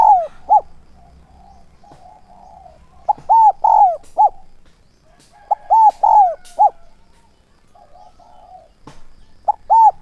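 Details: Spotted dove used as a decoy to lure wild doves, calling in the Vietnamese styles known as thúc and gáy gọi; short arched coos around one pitch, grouped in bursts of two to four with quiet gaps between.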